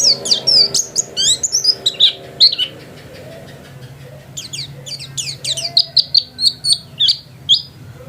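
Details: Energetic singing of a home-kept white-eye: high, rapid, slurred chirps, a pause, then a string of short, evenly spaced high notes, with faint voices and a low hum in the background.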